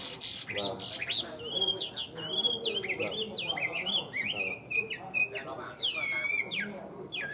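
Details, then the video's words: Tame caged Chinese hwamei sings a loud, varied run of clear whistles, slurred notes and rising-falling phrases, with some harsher chattering notes and background room noise. "Chim họa mi thuần hót tốt"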